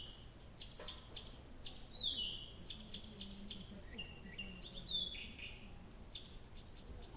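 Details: A nightingale singing all night in early June at Abramtsevo, recorded from 23:00 on 6 June 2021: series of quick repeated clicks broken by falling whistled notes and a short low trill, soft background hiss.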